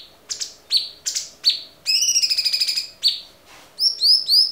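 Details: Cucak cungkok singing on a clear tutor recording made for songbird training: sharp falling notes, then a fast rattling high trill of about two seconds, then bright rising upslurred whistles.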